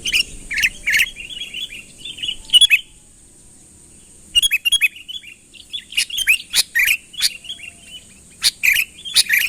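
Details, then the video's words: Sooty-headed bulbul calling to lure a rival closer; short bursts of slurred, whistled chirps separated by silent pauses, one gap lasting nearly two seconds, plus a few sharp clicks. "suara burung kutilang ASLI tanpa isian, gacor memanggil lawan mendekat"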